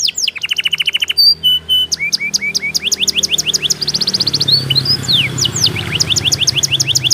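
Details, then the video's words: Canary song, offered as a remedy for canaries that stall and are reluctant to sing: rapid repeated high chirps, then clear rising and falling whistles and fast trills, with a low steady hum underneath in the second half. "obat ampuh kenari macet dan malas bunyi"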